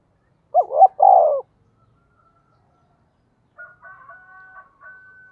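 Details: Spotted dove in 'giọng thổ' voice, lure for wild birds: one phrase of two short hoots and a falling coo, then silence and a faint, thin whistled tone from another source.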